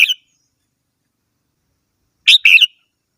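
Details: Red-whiskered bulbul with a clipped note at the start, then one clear two-part whistled phrase, slurred and bright, after two seconds of silence.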